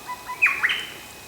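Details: Spotted catbird near Port Douglas, Cape York Peninsula, Australia, in 2015, giving a single harsh, nasal, cat-like wail in two quick parts, with faint thin whistles from other birds just before.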